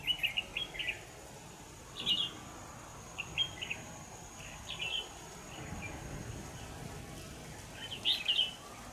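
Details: Red-whiskered bulbul heard during decoy trapping on 25 November 2018, giving a series of short, bright, chattering-warbled phrases spaced a second or two apart against a steady faint hiss.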